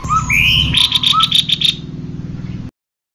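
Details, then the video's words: Male and female cucak kopi, meant to encourage birds to sing: one rising whistle and low notes, then a fast series of sharp ticking notes over a low buzzing hum that ends abruptly. "Suara burung Cucak Kopi Jantan dan Betina"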